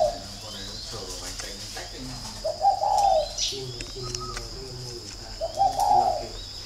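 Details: Spotted doves of the local thổ type kept at a bird farm in Ba Vì, Hanoi, Vietnam, calling while set to fight; two low hoarse coo phrases, a man talking over them, birds chirping in the background.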